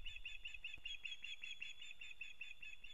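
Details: Osprey pair at their nest in Kurzeme, Latvia, starting a new breeding season, recorded 9 April 2022: a steady series of high, thin whistled chirps repeated about five times a second, with faint low rumbling beneath.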